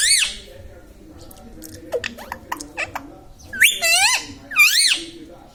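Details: Talking pet Indian ringneck that repeats mummy, papa and radhe radhe; a high strained syllable opens, then quiet clicks, then two loud arched, harmonic words close together in a small room.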